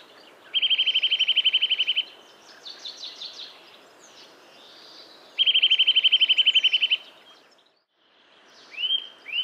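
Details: Eurasian nuthatch in a yard at Joroinen: two fast, even trills of rapidly repeated whistled notes, each lasting about a second and a half, separated by softer chirps, with short rising call notes near the end.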